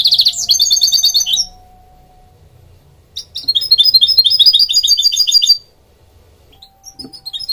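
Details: Goldfinch hybrid singing in two bursts of high, rapid twittering with trilled and buzzy notes, separated by about two seconds of near silence; a faint steady low hum runs underneath, and a short new phrase starts at the end.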